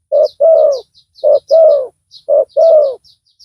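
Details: Spotted dove lure bird with a loud call: three pairs of coos, each a short low note then a longer, slightly falling coo, spaced about a second apart, high twittering birds faintly behind.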